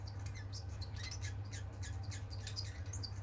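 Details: Tame pet society finches recorded on 21 February 2022 give scattered short, high chirps and squeaky notes in quick succession over a steady low indoor hum.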